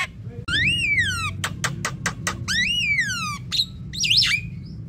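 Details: Javan myna calls used as a lure for young and flocking birds: long, downward-arching harmonic whistles alternating with sharp rasping clicks, then a twisting squeaky note, over a low background hum.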